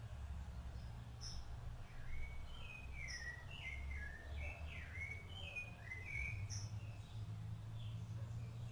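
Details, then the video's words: Adult Rufous-bellied thrush tending its chicks sings a rich sequence of whistled phrases, each note sliding down or up, delivered in quick succession. A few high, thin notes sound above, with a low rumble beneath. "SABIÁ LARANJEIRA CANTO"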